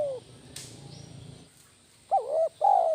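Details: Spotted dove lure bird giving a 'kuk 1' style phrase: a wavering two-part coo and then a sustained falling coo at the end. Before it comes the tail of an earlier call, with a brief rustle and flapping sound.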